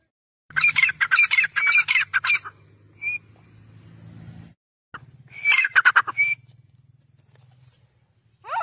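A grey francolin gives loud, harsh, grating notes in rapid repeated bursts, two outbursts a few seconds apart, over a steady low hum.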